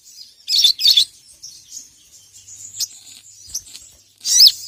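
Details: Crimson sunbird (sogon) calling a rival with ngeriwik chatter: two loud shrill double chirps, softer thin high notes in between, and a final sharp burst of twittering.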